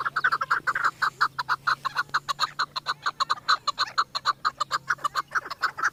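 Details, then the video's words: Pakistani chukar, the country's national bird, calling while circling a female in excitement: loud, rhythmic clucks repeated about twice a second, strongly pulsed, with a low steady hum underneath. "چکور کی مستی آواز دیکھو"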